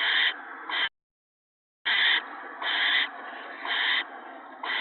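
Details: Owl family at the nest during an evening gopher feeding, March 28, 2017. Loud, scratchy screech bursts come roughly every second, broken by a short complete silence early on.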